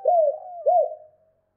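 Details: Spotted dove, a two-note 'cốt' call style used to stir up other doves: two low, arched, mellow coos, the second rising then falling, each trailing off into a soft fading hum.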